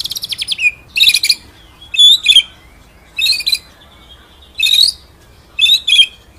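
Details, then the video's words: White-rumped shama from a masteran ngerol nembak recording: a fast high trill, then loud, complex bursts of high warbled notes about one second apart, separated by quiet gaps. "MASTERAN MURAI BATU FULL NGEROL NEMBAK SUPER EDAN!!"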